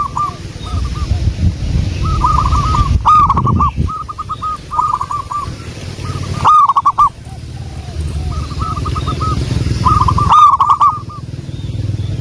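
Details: Local wild zebra dove song used as a lure: several loud bursts of rapid bubbling coos interleaved with quieter answering phrases, repeating through the recording over low rumbling background noise.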